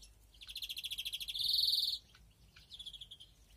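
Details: Aviary greenfinch during 2021 breeding: an even pulsed trill runs straight into a strong buzzing wheeze. After a short pause comes a softer trill.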